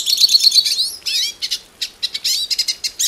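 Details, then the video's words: Hooded siskin from Brazil, locally called pintassilgo cabeça preta, opening with a quick series of clear repeated whistled notes, then breaking into fast buzzy twitters and chattering trills in short bursts. "The Song of the Pintassilgo Cabeça Preta"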